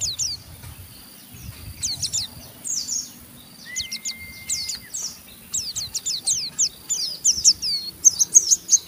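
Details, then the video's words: Rough 'ngeriwik' chattering of an Oriental white-eye meant to provoke others into song: sparse high chips at first, one flat steady tone, then an accelerating stream of scratchy downslurred notes growing louder. "Burung Pleci Ngeriwik Gacor merangsang Pleci Bahan ikut Ngeriwik Sampai Buka paruh"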